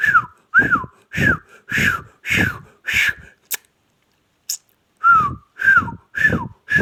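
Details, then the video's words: Pakistani ringneck parrot talking in choppy speech-like syllables, each with a bright downslurred whistled tone. The phrases repeat almost twice a second, broken by a short pause with two faint clicks before the talking resumes. "ringneck talking"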